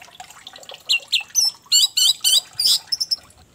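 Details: Short run of orange-headed thrush song meant to prompt another thrush to sing, made of rich, high, rapid notes in quick succession, some rising and falling.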